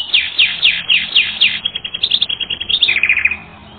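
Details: Training-record canary song of loud, swooping, downslurred notes repeated roughly every quarter second, then quick bubbling chips and a short lower trill before fading.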